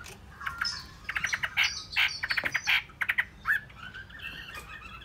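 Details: Hwamei sings quick stuttering runs of short, sharp repeated notes in rapid bursts, with a few slurred whistles in between, then trails off into quieter phrases.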